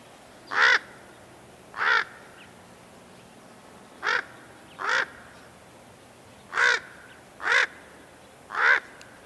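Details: Raven giving seven loud, hoarse, rasping caws, singly and in loose pairs with pauses of one to two seconds, against a quiet background.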